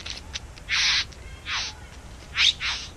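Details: Nesting bowerbirds in a back yard utter a few loud, broad hissing rasps, one long and flat, others falling in pitch, mixed with faint short ticks and a quiet hum.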